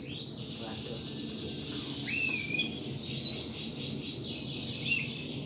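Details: A hobbyist's caged thrush sings loosely: a high whistle, a short rising slur, then thin sweeping notes and fast soft twitters over steady background hiss.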